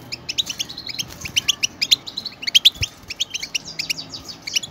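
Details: Pet European goldfinches chattering together as stimulation for other goldfinches to sing: rapid, bright, ringing high notes and short rising slurs, many overlapping bursts through the brief clip, a faint thump near the end.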